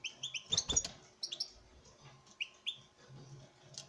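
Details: Male European goldfinch performing for a female in captive breeding: rapid high twitters and tinkling notes at the start, then looser chirps, with a few sharp clicks.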